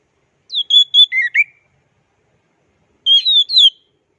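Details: Champion orange-headed thrush in the plong and teler song styles, used as a tutor recording: two bursts of loud, clear whistled notes, high and slightly wavering, the first dropping lower at its end, separated by silence.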